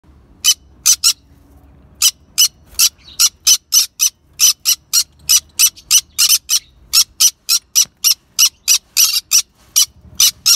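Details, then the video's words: Yellow-sided conures chirping, with sharp broadband chirps repeated rapidly in irregular bursts, roughly three or four per second, against a quiet background. "Yellow sided conures chirping"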